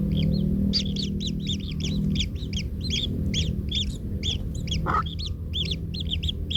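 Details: In the nest, kingfisher chicks keep up a dense stream of short rasping arched notes, several birds overlapping, while a parent steps on one chick; a low constant hum underlies everything and a brief scrape cuts in.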